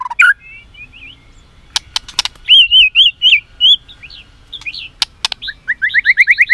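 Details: White-rumped shama fighting song from a caged bird: a few sharp clicks, a rolling series of looping whistles, then a rising run of rapid repeated paired notes.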